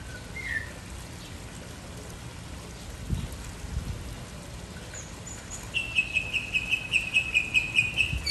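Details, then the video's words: A mockingbird sings melodies and whistles. After a quiet start with one short slurred note, a fast series of identical crisp notes repeats several times per second for the last two seconds. "Sinsonte Cantando melodias y chiflando"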